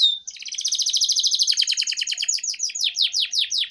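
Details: Canary lure song for training juveniles: a brief whistle, then a long rapid trill that breaks into quick descending sweeps.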